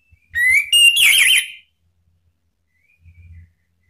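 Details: Male orange-headed thrush answering in ngeplong style, a lure for silent birds: a rising whistle and a high level note, then a rapid warbled zigzag trill, followed by quiet with faint low rustling.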